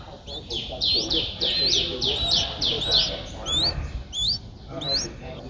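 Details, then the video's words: Streak-eared Bulbul nestling at seven days, just opening its eyes, Ubon Ratchathani, Thailand, 9 April 2023: loud rising squeaky begging notes in quick bursts, roughly two per second, with brief pauses. "นกปรอดสวน อายุ 7 วัน : Streak-eared Bulbul (Pycnonotus blanfordi)"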